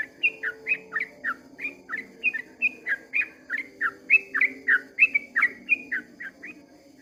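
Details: Long rapid song of a yellow-vented bulbul at first light: a steady stream of ringing two-note whistles, rising then falling, about three each second, with a soft droning hum underneath.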